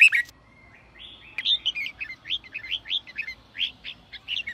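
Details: Red-whiskered bulbul sổ bọng song for stimulating wild-caught birds: a loud opening chirp, a thin drawn-out tone, then an even string of quick, upslurred, warbling notes.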